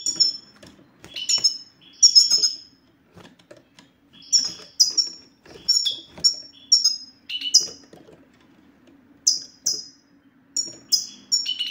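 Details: Goldfinch satsata used to make silent males sing: clustered bursts of sharp, descending high twitters, a brief quiet gap midway, then steadier paired chirps, with a faint hum throughout.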